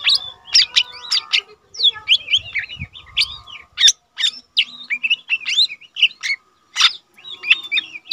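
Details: Caged lesser green leafbird, an untrained bird that sings often, recorded as tutor material for training cage birds. Fast, varied whistles and chattering slurs, with brief gaps, over a faint steady hum.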